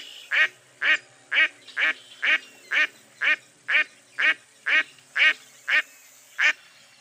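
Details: Repeated nasal quacks from a mottled duck, roughly two each second, each note short and rasping, the run continuing evenly to the end.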